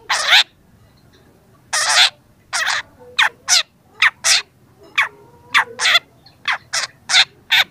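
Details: Young long-tailed shrike singing, a training recording: loud harsh rasping notes, then spaced buzzy chacks and brief strained notes, repeated irregularly about every half second to second.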